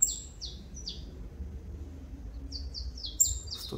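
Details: Mineirinho saffron finch returning to song after moult, pin feathers still on its head, delivers a lively sequence of high, descending whistled notes in two bursts separated by a short pause.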